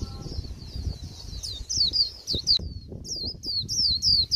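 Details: Recently wild-caught Japanese white-eye at the end of the season, singing a plain, bland twittering 'líu' song: high, thin, downslurred whistled notes in quick runs, with a short pause midway and some low background rumble.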